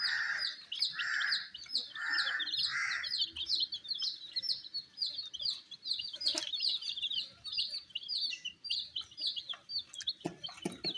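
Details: Many colored baby chicks eating wheat peep steadily, high short notes falling in pitch, several per second, with soft mid-range bursts early on and a few sharp knocks near the end.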